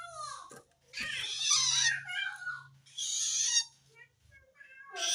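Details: Long-tailed shrike calling to wild shrikes, a call said to signal that it feels threatened by another shrike; harsh, rasping, broadband bursts mixed with short squeaky tonal notes, with a faint low hum beneath.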